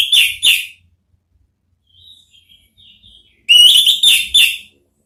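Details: Orange-headed thrush giving ngeplong therapy song to prompt answering birds: two full, ringing notes, then soft thin high whistles, then a loud burst of four rich, fluty phrases in quick succession.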